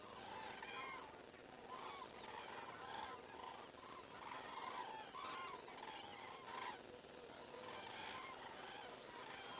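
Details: A flock of common cranes passing overhead in Estonia on 19 September 2017 around 19:10, a chorus of layered rolling trumpet calls in repeated waves over a constant hissing background.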